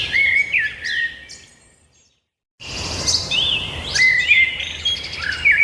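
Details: Birds singing: whistled notes and chirps, then a brief silent gap before the chorus resumes with twitters, upslurred whistles and trills over soft background hiss.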